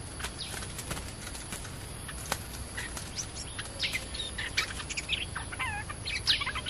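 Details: Caged stripe-throated bulbul used as a decoy for trapping, tried in a new decoy cage: short bright chirping phrases with quick up-and-down slurred notes, scattered through the clip over a steady outdoor hiss.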